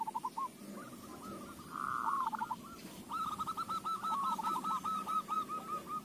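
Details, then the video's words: Lure recording of a zebra dove to set off other doves' singing: a brief low phrase, a drawn-out hooked coo, then a long even run of rapid coos over constant noisy background. "AWAS KUTUTMU JADI GACOR !! Pancingan AMPUH"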